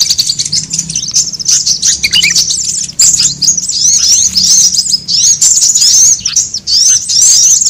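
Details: A lure sound of sunbirds to gather birds: loud, nearly continuous high-pitched twittering with rapid trills and undulating whistled notes.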